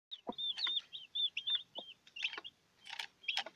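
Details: Newborn chicks with their broody mother hen: a few short, high peeps spaced through the moment, with scattered brief clucks and scratching sounds between them.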